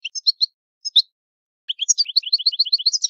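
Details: European goldfinch of Italian stock, old-style song: a few separated high chirps, then a fast, evenly repeated tinkling twitter running to the end.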